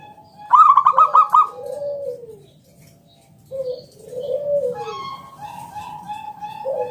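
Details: Local zebra dove singing in ngalun style with a round kung note, used as a lure for other doves. A single quick burst of staccato coos opens, followed by slow, lower, arching coos and a fainter steady note.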